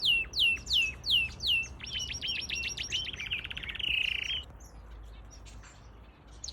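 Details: Canary song, from a mixed outdoor aviary: a quick run of five bright downslurred notes, then a fast rattling trill and a rolling warble, all high and clear over faint background hiss.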